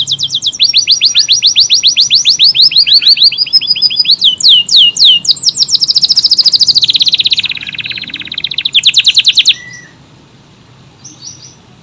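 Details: AF canary in full, long-running song with tight bursts: rapid rising whistled trills repeated at a steady pace, shifting between high and very high rolling phrases, ending in a softer pause.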